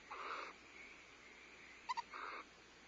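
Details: Barn owls at a nest camera at Starr Ranch on 14 February 2011, the female feeding owlets while the male delivers prey; two broad raspy hissing bursts about half a second long, separated by brief sharp clicks.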